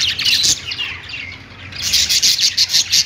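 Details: Budgies singing on a perch indoors: a burst of scratchy warbling chatter, a quieter lull, then rapid bright chirps repeated about three times a second, with a faint low hum beneath.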